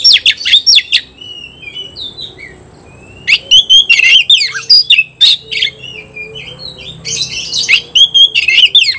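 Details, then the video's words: Vigorous Oriental magpie-robin song aimed at a rival: dense runs of sharp staccato notes and buzzy chirps with sliding whistles, a short lull, then renewed rapid bursts. "kacer gacor ngobra KONSLET nembak lawan tarung"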